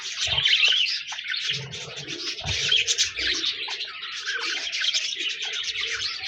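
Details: Budgerigars chirping and chattering in a dense continuous flock chorus of warbled, scratchy high notes, with occasional low thumps underneath.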